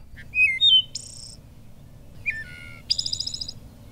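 Wood Thrush song in two phrases: clear, fluty notes sliding downward, each ending in a high, shimmering trill with two voices at once; faint low rumble beneath.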